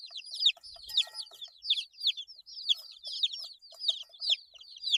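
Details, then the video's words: Baby chickens eight days old chirping loudly; strong high peeps sliding downward come in clustered bursts, with faint pecking clicks between calls. "Chicks Chirping Sounds - Baby Chicken Sounds"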